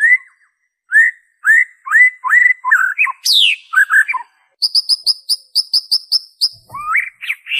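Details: White-rumped shama original song with no mimicked insertions, played to prompt captive birds to sing: a run of short rising whistled notes, a sharp descending sweep, then rapid high ticking chips and a final rising whistle.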